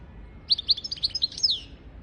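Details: A short phrase of European goldfinch song for teaching goldfinches and canaries: about eight quick, bright, liquid chirps in a row, closing with a falling slurred note.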